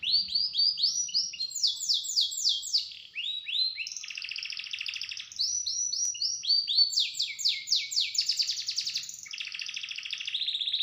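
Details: Long, rough, rapid song of a small bird used for training pet birds: quick runs of sharp sweeping notes alternating with buzzy trills, continuous and high-pitched throughout.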